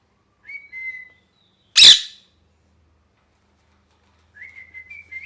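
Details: A molting pet parrot whistles a level note, lets out one loud harsh squawk, then after a silence gives a stuttering, upward-ending whistle.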